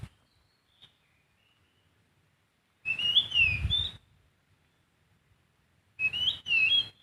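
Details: Sooty-headed bulbul in the wild giving two bursts of bright whistled song, each about a second long, with quick up-and-down slurred notes, separated by silence; a low rumble sits under the phrases.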